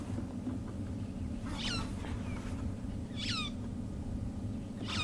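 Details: Long-tailed Shrike sitting on its nest in a buffalo thorn at sunset, probably on eggs, gives three harsh, downward-slurring squeals about every one and a half seconds over a steady low engine rumble.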